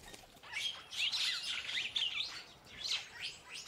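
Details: Purple starling, also called purple glossy starling, singing a busy run of squeaky, chattering whistles and slurred notes that come in quick bursts with brief gaps.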